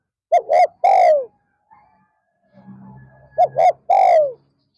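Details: Decoy spotted dove luring wild doves during an afternoon session, 'pa roi' style: two quick coos and a long rolling descending coo, a faint low rumble in the gap, then the same three-part phrase again.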